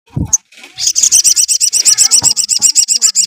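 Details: Sooty-headed bulbul singing to provoke other bulbuls. After a brief low thump, a fast run of high, sharp notes repeats about four times a second without pause.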